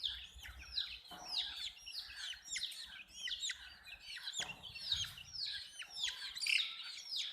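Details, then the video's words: A brood of baby chicks calls continuously, each peep a thin high note dropping sharply in pitch. The overlapping chirps form a busy, unbroken chatter with faint low rumble behind. "Witty MURGI Hen Baby "CHICKS CHIRPING" Sound"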